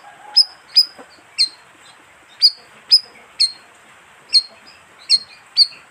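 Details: Repeated lure call of the bayeman: sharp, slightly buzzy high chirps with a downward flick, about eleven in six seconds, loosely paired and unevenly spaced.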